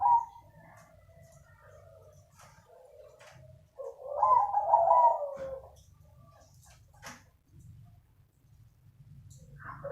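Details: Zebra dove of the krosing type, kept indoors, singing a soothing song: scattered quiet coos, then one loud rolling trilled phrase in the middle, followed by near silence and a faint closing note.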